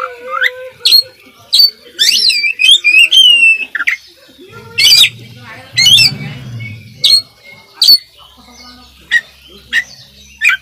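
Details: Oriental magpie-robin in full isian song: a busy stream of sweeping whistles, quick upslurs and harsh scratchy bursts, the phrases then thinning into spaced sharp notes with faint low background noise.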